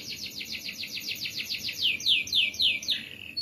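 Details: Canary tutor song: a long, very regular run of rapid descending high notes, about four per second, growing louder and sharper toward the end.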